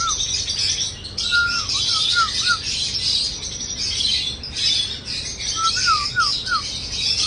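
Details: Cockatiel whistling a long level note followed by a run of bouncing downslurred notes, repeated twice, while many small birds chatter loudly in the background.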